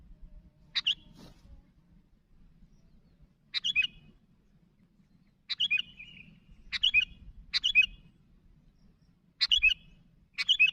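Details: Sooty-headed bulbul calling to companions with separated short bubbly chirps, several in quick pairs, over light background noise.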